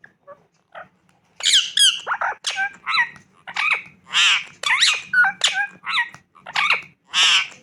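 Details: Pet Indian ringneck parakeet giving a loud series of harsh, raspy squawks, about a dozen short bursts in uneven rhythm, some rising and falling sharply, with a faint low hum behind.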